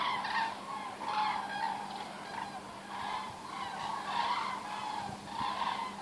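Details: Thousands of common cranes pass over Osterath, Meerbusch, in huge waves, giving loud, rolling trumpeted calls that overlap steadily throughout, with a faint low hum underneath.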